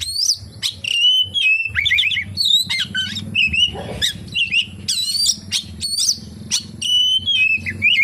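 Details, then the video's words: Oriental magpie-robin song loaded with kapas tembak fill-ins: clear high whistles bending up and down, jumbled twittering bursts and brief scratchy notes alternating in quick succession, low electrical-sounding hum beneath. "SUARA BURUNG KACER, FULL ISIAN KAPASTEMBAK"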